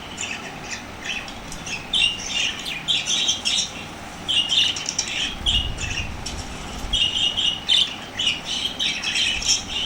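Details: Excited lovebirds reacting to lovebird sounds: clusters of piercing, high squeaky chirps in rapid bursts separated by short pauses, with a low thump partway through.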